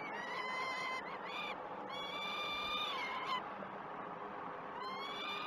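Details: Peregrine falcon chicks at a nest cam feeding, Great Spirit Bluff, 12 June 2018; grating wails with rising ends, a long run then a pause of over a second before calling resumes.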